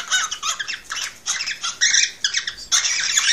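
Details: Excited male cockatiel singing to prompt a female to mate: rapid rasping, warbled bursts with strong harmonics, delivered in short clustered phrases.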